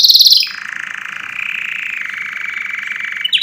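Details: Canary song. A brief high trill drops into a long, level, rolling tone held for almost three seconds, then a fresh high trill starts.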